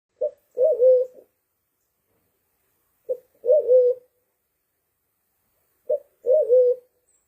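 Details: Sulawesi black pigeon lure call: three low cooing phrases, each a short clipped note followed by a longer, slightly wavering coo, repeating about every three seconds in otherwise quiet surroundings.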